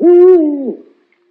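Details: One clear hoot from an owl: level and full for a moment, then dropping slightly in pitch before trailing off into quiet.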